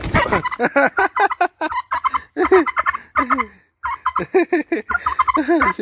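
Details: A turkey gobbles over and over in quick bursts of rattling, bubbling notes, with short pauses between the bouts.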